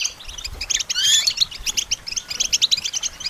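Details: European goldfinch song used to train songbirds: twittering chirps broken by a loud rising buzzy trill, then lively repeated high notes.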